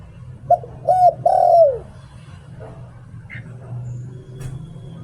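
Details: Caged decoy spotted dove voicing a "liu tan" phrase: three deep coos, short, medium and long, the last sliding down; quiet follows with a faint chirp and low hum.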